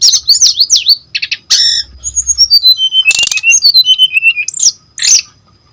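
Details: Lure and tutor song of a brown-chested jungle flycatcher: looping whistled slurs, a short buzzy burst, a descending series of clear whistles and a sharp rattle, with brief gaps between phrases.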